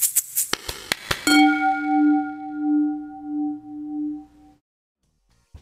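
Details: Several quick metallic strikes lead into one ringing bell-like tone that holds steady for about three seconds, then cuts to silence, with no animal voice.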